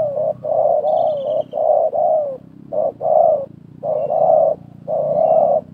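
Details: Spotted dove calling in a trapping session where a wild bird and a decoy dove compete, 2024: loud, throaty coos in short-long groups, the last note of each phrase drawn out, with a faint high bird call.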